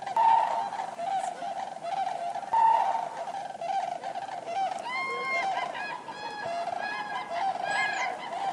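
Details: Common cranes calling together, a dense chorus of overlapping trumpeting, honking notes. The calls rise and fall and grow clearer in the second half, with bugling notes that arch upward in pitch.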